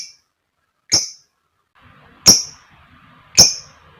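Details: Lovebird lure recording meant to provoke rival lovebirds: three shrill, squeaky chirps spaced about a second apart, with a faint soft chatter in the background between them.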